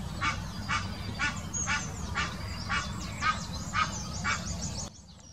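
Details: Egyptian goose mating call in the Wittlich Depression, Germany, 2018: harsh honks repeated about twice a second in a steady series, then stopping abruptly, with faint higher bird chirps and low background rumble.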